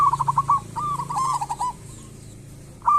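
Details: Local perkutut, the zebra dove, singing to draw others into song; two quick rolling coo phrases, then a pause and a fresh phrase starting, over a low steady hum.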